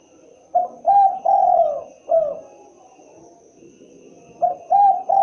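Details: Spotted dove, the derkuku, cooing its characteristic phrase: two short coos, a long sustained coo and a falling final note, then a new phrase beginning, soft and low-pitched over faint background noise.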